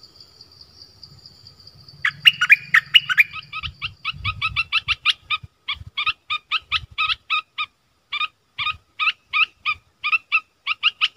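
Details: Streak-eared bulbul starting with a jumbled chirpy burst, then a long run of sharp, evenly spaced chirps with brief pauses; a low hum underneath at first.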